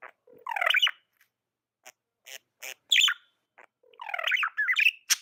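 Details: Pet budgie chatter: a warbled burst of layered chirps, then scattered dry clicks and ticks, ending in another rising, twisting run of chirps.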